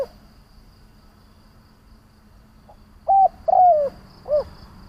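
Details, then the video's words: Spotted dove decoy cooing to stir up other doves: after a quiet stretch, a faint pip, a level coo, a long falling coo and a short rounded final coo arrive near the end. "Tiếng Chim cu Mồi gáy gọi - Chim cu gáy kích bổi nhanh nổi hiệu quả"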